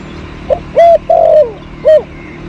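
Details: Spotted dove cooing behind garden plants at home, recorded while luring birds in 2022: a quiet lead-in note followed by three full, hollow coos with a slight downward slur, against low background hum.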